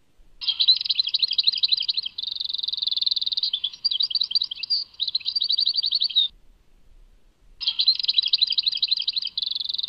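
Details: Long bursts of European goldfinch Tadmait song, made of high twitters and buzzy rapid trills strung together, broken by one silence of just over a second before singing resumes.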